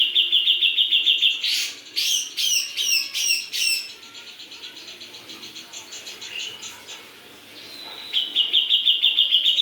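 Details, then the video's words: Grey-cheeked bulbul opens with a rapid whistled trill, then gives a series of loud, sweeping downslurred notes, a softer stretch with faint chatter, and another rapid pulsed trill to close. "Cucak jengot gacor"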